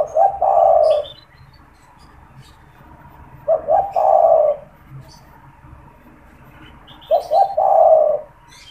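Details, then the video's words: Caged spotted dove used for calling and trapping wild doves; three coo phrases roughly every three and a half seconds, each with two clipped notes before a long rolling coo, small high chirps from other birds in between. "SUARA PANGGILAN DAN PANCINGAN TEKUKUR TERBARU | TEKUKUR GACOR BAGUS BUAT PIKAT"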